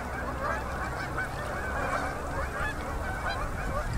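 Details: Fall-migrating Canada geese settling onto a river in Manitoba, Canada, at sunset, October 2018: steady distant babble of many honking birds, evenly loud throughout, over low background rumble.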